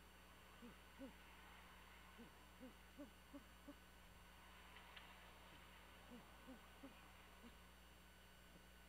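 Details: Soft murmuring from Great horned owls at a camera-watched nest 75 ft up a pine on Skidaway Island, Georgia, shortly after 2 am: bursts of quiet low hoots in quick series, a silent gap mid-clip, then more, against constant hum.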